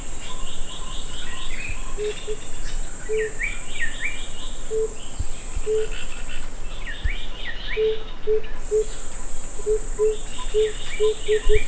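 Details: Tambourine dove (Turtur tympanistria) in the Bamenda Highlands gives low, soft coos that space out then quicken toward the end, over repeated chirping phrases from another bird and a steady high insect drone.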